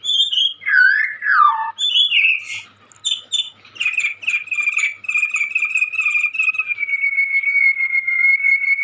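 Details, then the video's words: Energetic young white-rumped shama, kept caged by Indonesian bird hobbyists, sings swooping whistles, then rapid chattering notes that settle into a long, steady, even trill. "Burung Murai muda gacor calon juara"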